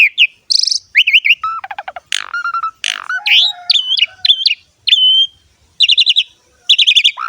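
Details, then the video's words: Jalak suren gacor ngerek song: a rich mix of buzzy rattles, falling trills, sharp swept notes and twisting whistles, with rapid rattling bursts recurring toward the end. "BURUNG JALAK SUREN GACOR NGEREK ISTIMEWA"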